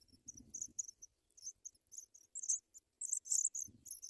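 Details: African pipit chicks being fed white butterflies at the nest call in piercing, high, jumbled chirps that grow louder and denser in the second half, over muffled rustling and bumping.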